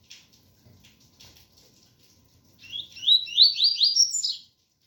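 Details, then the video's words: After soft rain noise, a double-collared seedeater delivers one bright run of five or six fast upslurred whistles, climbing in pitch, in the pure tui-tui song style. "Coleiro ganga 001 entre tui tui puro com som de chuva"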